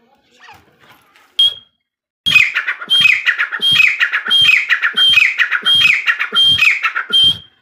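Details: Female partridge (teetar) from a Sindhi jungle hunting recording: after a few soft notes and a pause, a long loud run of rhythmic, ringing, stepped-down calls repeats about every two-thirds of a second.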